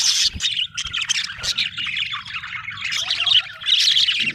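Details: Budgerigars chirping happily in loud, bright bursts of squeaky twittering and raspy warbles, nearly continuous, over a faint low background rumble.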